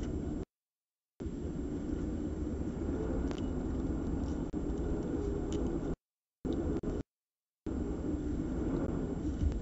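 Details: Low rumbling background noise broken by silent gaps, with no calls from any animal.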